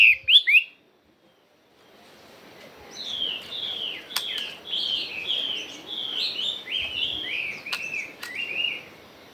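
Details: Chinese hwamei singing in a pure wild forest-style voice: after a brief loud burst and a pause, a run of rich, slurred whistled notes, each bending down then up, delivered rapidly and continuously over a soft hiss.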